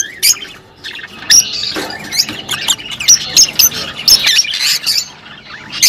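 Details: Rosy-faced and Fischer's lovebirds calling to encourage mating, producing clipped, piercing squeaks and chirps in quick irregular bursts, several birds overlapping.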